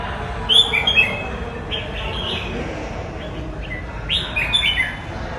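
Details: Red-whiskered bulbul singing two quick bursts of clear, warbled whistled notes, one early and one late, separated by a quieter gap, against constant low-frequency background noise.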